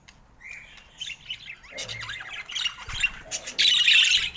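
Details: Budgerigar kept at home, calling while playing with its owner; soft warbled notes build into louder scratchy chatter and a burst of harsh squawking.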